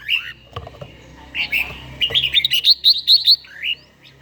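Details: Red-whiskered bulbul, an older bird with a wild-type voice, singing in the morning during daily song training; rapid bright warbled notes around mid-high pitch, a quick run of short rising phrases in the second half, with faint clicks in the background.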